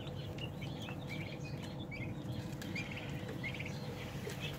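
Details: Thirty-day-old domestic turkey chicks, a flock giving short high peeps repeated throughout, scattered and overlapping, over a steady low mechanical hum.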